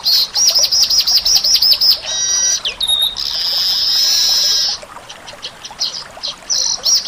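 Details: Lively Indonesian weaver song: a rapid series of sharp chirps repeated in quick succession, a harsh rasping burst, a squeaky whistle, then a long sustained buzzy trill followed by scattered soft chips.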